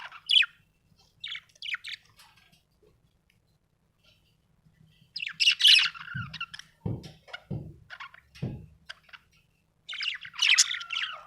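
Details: Happy budgerigar chirping in sporadic squeaky phrases with quiet gaps, then a longer chattering burst with several dull knocks underneath, and a final run of scratchy warbles.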